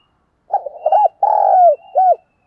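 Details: A spotted dove used as a decoy coos in the morning to call others: a soft, low phrase of a few hooting notes with one longer drawn-out coo, then a short final coo.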